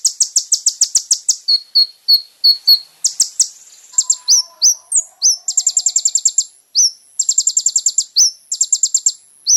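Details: Kolibri ninja song on a training recording for caged birds. Varied high phrases mix rapid buzzy trills, short flat whistles and sharp down-slurred chips in quick succession. A faint low whistle runs underneath.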